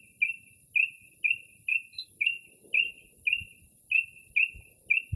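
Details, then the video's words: A Northern mockingbird sings at night in early spring, imitating other birds. One short sharp whistled note is repeated about ten times in quick, even succession, nearly two per second, over a steady faint high hiss and occasional low thumps. "Northern Mockingbird Mimics Different Bird Calls"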